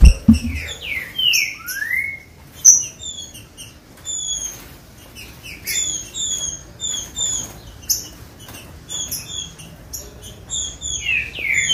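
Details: Green-winged saltator song, used to warm up and stimulate captive birds to sing: loud slurred whistles sweeping down then up, mixed with many short, high chirping notes repeated in quick runs.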